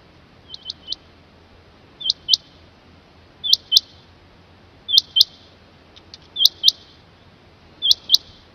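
Rain quail giving sharp, high metallic double notes, 'whit-whit', repeated about every one and a half seconds against a quiet background.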